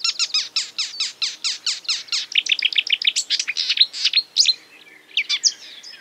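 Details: Marsh warbler imitating other birds: a fast run of about a dozen identical high chirps, then a busier jumble of varied, sharper notes, a short pause and a few scattered squeaky phrases near the end.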